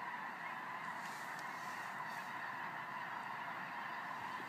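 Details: Thousands of geese flying overhead at night: a steady wash of honking, the nasal calls overlapping into an unbroken chorus with no single voice standing out.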